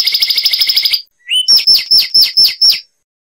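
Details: Zapata wren, a Cuban bird of lowland scrub, sings a rapid bright trill. A short whistle follows, then six loud, sharply down-slurred whistles about every quarter second. The recording is clean with no background noise.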